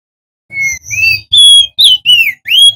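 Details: Male crested white-eye, endemic to Lombok in West Nusa Tenggara, sings loudly as a lure to prompt other white-eyes to sing: five clear whistled notes, rising and falling, the first thin and high, each about a quarter second long.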